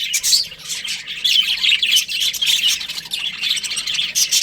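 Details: Breeding-season budgerigar flock: overlapping high chirps and buzzy warbling, bursts that rise and fall in loudness every second or so.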